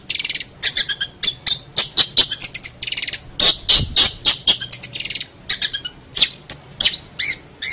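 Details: Long-tailed shrike song used as a training recording for other songbirds: rapid run of sharp, high chirps and short buzzy trills, with notes repeated in quick bursts and brief pauses between.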